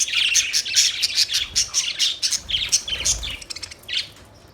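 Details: Budgerigar chirping: fast, high, scratchy twitters in a busy run, slowing into separate chirps that fade near the end.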